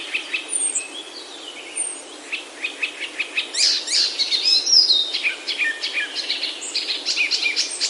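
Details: Himalayan oak forest birds in Himachal, India: a lively stream of quick, high chirps and twitters repeated several times a second, with a few short whistles, many birds calling together.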